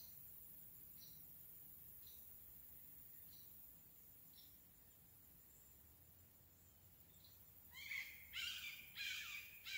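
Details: A red-shouldered hawk (Buteo lineatus) in Craighead Forest Park gives faint, thin notes at a distance, then four loud, harsh, screaming notes in quick succession near the end over a quiet background hiss.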